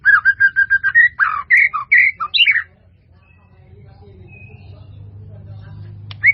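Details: White-rumped shama song, used as a master song for training: a quick series of about seven identical clear whistled notes, then varied louder warbled phrases, followed by a quiet stretch with a low hum and one final short note.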